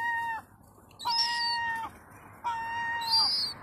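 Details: Young European herring gull, a chick two to four months old, begging for food: three long, drawn-out whistled wails held at a steady pitch, each starting with a short sharp upward catch and ending abruptly, separated by brief pauses.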